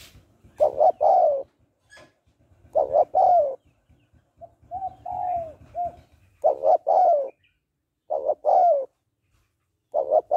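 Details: A female spotted dove calls to arouse a male, cooing in phrases about every two seconds: a quick doubled coo then a longer falling croo, with softer drawn-out descending coos in the middle and faint low rumble.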